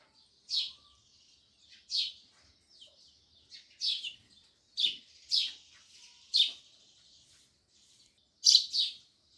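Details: Sparrows chirping loudly: bright, high, clipped chirps repeated roughly once a second or two, some in quick pairs, against an otherwise quiet background.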